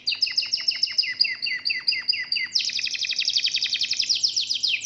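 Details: Local domestic canary in full song: short descending notes with sharp lower ticks, then a fast buzzy trill of rapid repeated elements rising slightly toward the end.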